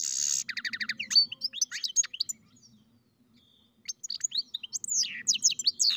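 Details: Goldfinch × canary mule singing: dense bright twittering phrases, rapid ticking trills and sweeping whistled notes, with a silent pause in the middle before the song resumes.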